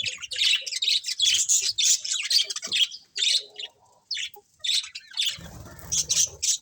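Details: Budgie colony in full chatter, colourful birds chirping over one another with high, scratchy chirps and short squawky notes in quick bursts, and a low rumble joining toward the close.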